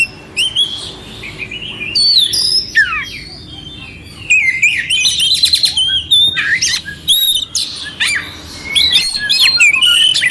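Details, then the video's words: Kacer, or oriental magpie-robin, giving a clear rough-fill (isian kasar) song meant as a master track to stir up an unmotivated bird; continuous varied phrases of bright whistles, downward sweeps and rapid high trills, broken by brief pauses. "Suara Kacer Jernih isian kasar"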